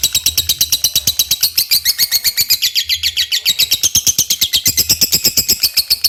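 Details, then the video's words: Lovebird in constant 'gacor' song, played as a lure for other lovebirds: a relentless stream of high, buzzy chirps at about seven a second, briefly thinning near the middle before resuming at full pace. "SUARA LOVEBIRD GACOR | PANCINGAN SUARA LOVEBIRD GACOR"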